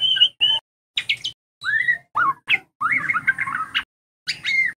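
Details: White-rumped shama song played as a lure so young shamas learn to sing fast; short whistled and slurred phrases, some rising, some falling, with a buzzy run near the end and brief silences between bursts.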